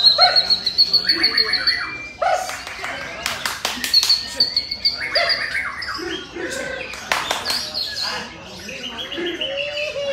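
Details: White-rumped shama (murai batu) singing at a songbird competition where it placed second: rapid high whistled trills and varied chattering phrases with sharp notes, amid other competing birds and crowd voices.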